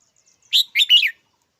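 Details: A single red-whiskered bulbul phrase: one clear opening note followed by two rapid, rolling, warbled notes, with faint high chips before it.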